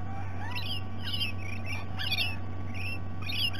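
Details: Visiting rainbow lorikeets at breakfast time in Sydney Olympic Park, Australia: rapid series of sharp, rasping screeches about twice a second, overlapping birds, steady low hum in the background.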